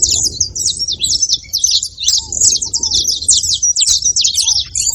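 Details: Saffron finch producing a continuous stream of high, bright, jumbled chirps and twitters, with a few faint low curved whistles and light background noise.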